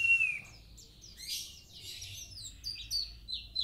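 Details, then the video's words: Actively singing Kintamani-type mountain white-eye: a clear whistled note slurring downward opens, followed by rapid high chirps, twitters and short trilled phrases in quick bursts. "pleci gacor, dagbal kintamani"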